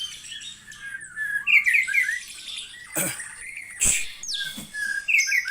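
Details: White-rumped shama (murai batu) with a 20 cm tail, song described as loud and open (ngeplong): bright whistled and slurred phrases, some quickly trilled, broken by sharp clicks and knocks, with a short pause midway.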